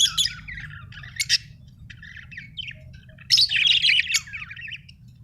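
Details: Budgerigar chirping: bursts of fast, scratchy warbled chatter and squawky notes, a loud busy phrase near the start and a denser run past the middle, with a low steady hum underneath.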